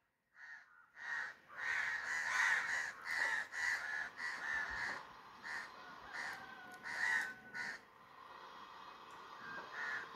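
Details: Crow calling with a run of harsh caws, loud and closely spaced at first, then fading into quieter, more widely spaced calls toward the end.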